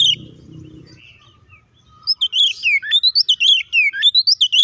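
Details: Oriental magpie-robin starting its fighting song after a quiet lead-in with a low hum: brisk, loud whistled notes and downward slurs follow in quick, uneven succession.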